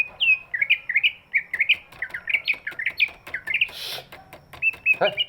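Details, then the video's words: Greater green leafbird with a big body, its voice meant to set sluggish birds singing: jumbled, rapid chattering phrases of bent notes, a short burst of noise, then a few thin whistles. "cucak ijo body big, suaranya bisa buat pancingan burung yang malas bunyi"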